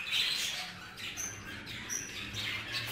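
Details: In a shared budgerigar colony a male grows jealous over a female; quick raspy chatter opens loudly, then thin whistled notes and scratchy chirps follow.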